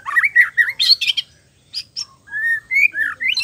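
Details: Continuous white-rumped shama song full of varied fillers, used as therapy to get young and adult birds singing: rapid wavering whistles, harsh buzzy notes, isolated high chips, then smooth rising whistled phrases.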